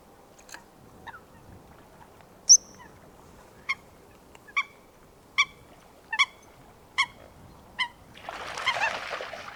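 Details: Coot in wetland surroundings producing single short, metallic notes at irregular intervals of about a second, ending in a rush of broadband noise.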